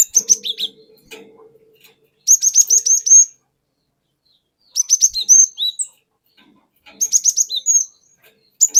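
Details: Wild forest cinereous tit singing as a lure, in a ngeplong, wucit wuit, long-rolling style: quick runs of sharp, high repeated notes lasting about a second, coming every two to three seconds, with brief silences between.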